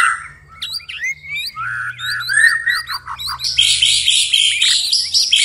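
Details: White-rumped shama singing after nightfall: rising whistled notes stepping upward, a run of clipped repeated whistles, then a dense buzzy, chattering stretch that fills the final seconds.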